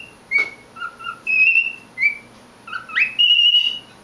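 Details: Pet male cockatiel singing to himself: clear whistled notes, some flat and held, some short, one sweeping sharply upward into a long steady whistle, separated by brief pauses.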